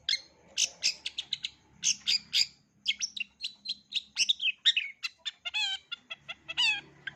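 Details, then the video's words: Varied continuous singing of a long-tailed shrike, a full repertoire for young birds to learn: a long stream of sharp chirps, twittering bursts and several nasal harmonic calls, with a faint low hum beneath. "Cendet isian lengkap, COCOK untuk CENDET MUDA belajar BUNYI, JITU dan GACOR"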